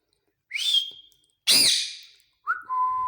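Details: Talking male green ringneck parakeet: a rising high whistle held briefly, one loud harsh screech, then a lower two-step whistled note, all in three seconds.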